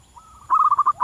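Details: Zebra dove in the wild: a soft, drawn-out coo leads into a loud string of fast, bubbling notes at a steady pitch.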